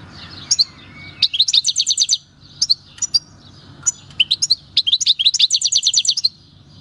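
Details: A wild-caught European goldfinch from El Paso, taken in 2018, sings its natural country song: scattered chirps leading into fast twittering trills, interrupted by short pauses, then a longer rapid trilled phrase.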